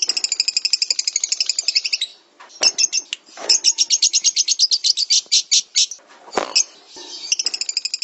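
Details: Lovebird song for training other birds: long fast trills of high chirps, about four notes per second, broken by short buzzy squeaks, then the rapid trill resumes.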